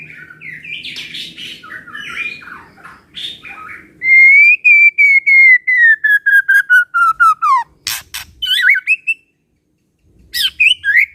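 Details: White-rumped shama song to prompt other shamas to sing: soft warbling at first, then a long series of clear whistled notes sliding steadily downward, followed by sharp clicks and rising whistles.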